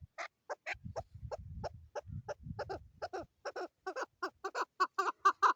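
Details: Female chukar calling in Pakistan: a series of throaty chuck notes that start spaced and speed up, growing louder and denser toward the end, with a low rumble in the first half.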